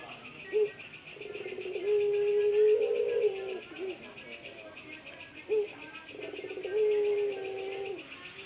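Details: A ringneck (Barbary) dove, one of three breeding males whose voices turned slightly hoarse after a long time in a breeding cage and are now recovering, coos twice. Each coo is a short low note followed by a long, hoarse coo, over a steady hiss.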